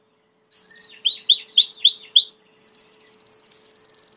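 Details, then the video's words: Domestic Belgian canary singing a high note, then a run of swooping chirps between steady whistled tones, closing in a fast, fine, rattling high trill. "COMO FAZER SEU CANARIO CANTAR MUITO 20 MINUTOS DE CANTO"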